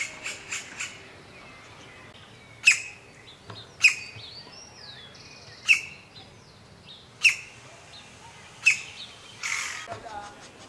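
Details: Green-barred woodpecker (Colaptes melanochloros) feeding its nestlings: harsh, scratchy high calls burst out every one to two seconds, with softer chirps between them and a quiet outdoor background.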